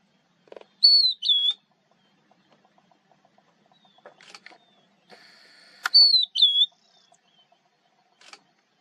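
A lark sings two brief, high whistled phrases about five seconds apart, each a clear note slurring down into a quick flourish, with faint clicks between.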